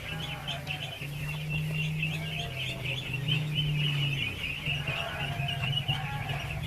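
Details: Feeding ducklings in their thousands keep up a steady, high peeping chatter over a loud, constant low mechanical hum, with faint lower calls drifting in and out.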